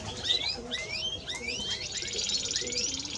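A Timbrado Español canary sings a rapid, continuous run of bright rising whistles and metallic trills, high-pitched and varied, over a faint background hiss.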